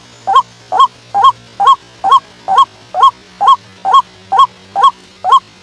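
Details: Night-time trapping lure of a white-breasted waterhen: evenly spaced, honking croaks, roughly two each second, every note with a hooked rise and fall, and a low background hum.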